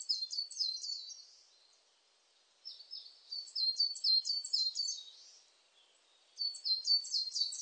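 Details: Coal tit call: very high, thin notes in quick repeated phrases, delivered in three bursts with brief pauses between them.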